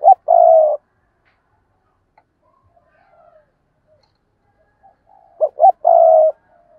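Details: Spotted dove decoy bird giving fierce thúc and gù cooing: a steady hollow coo near the start, then after a long silence two short clipped notes followed by a longer level coo, in a quiet setting.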